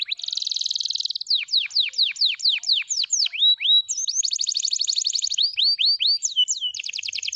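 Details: F2YS canary singing a buzzy trill, then a cascade of sharply falling whistled notes, a high fast rattle, and more dropping and rising slurs in lively succession.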